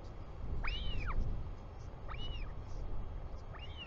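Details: Royal albatross chick in New Zealand calling to its returning father on 24 July 2020: three bright arched whistles about 1.4 seconds apart, backed by continuous low wind.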